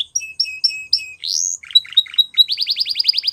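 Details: Singing Spanish Timbrado canary: spaced paired chirps, a loud rising sweep, clipped lower notes, then a rapid even run of bright whistled pulses.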